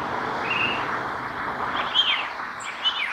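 Song thrush giving a few short, clear phrases: a steady whistle, then two bright arched notes a second apart, over a constant hiss of background noise.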